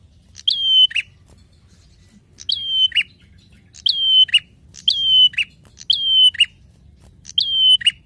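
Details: Prinia in lively song, recorded as a lure and master for other songbirds: six evenly spaced phrases, each a crisp chip, then a drawn-out high whistle ending in a harsh downward burst, over a faint low hum.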